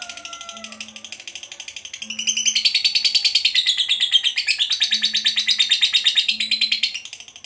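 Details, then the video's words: Lovebird of the fighter kind delivering ngekek panjang chatter: quiet pulsing at first with a thin whistle, then a strong, rapid, scratchy trill for about five seconds over faint low tones. "SEKALI BUNYI, BIKIN AUTO NYAUT, Jadikan Lovebirdmu FIGHTER Rajin Ngekek Panjang"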